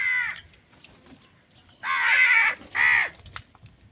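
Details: Crow calling while fighting for food: harsh, hoarse caws, one clipped at the start, then two loud rasping caws about a second apart, each roughly half a second long, over quiet background.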